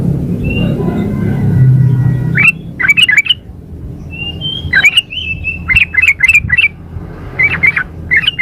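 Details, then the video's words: Female sooty-headed bulbul calling the male, used as a lure: after a low rumbling start, chattery bursts of sharp, slurred notes around the upper-middle pitch, repeated in quick clusters. "suara pancingan trucuk betina memanggil jantan"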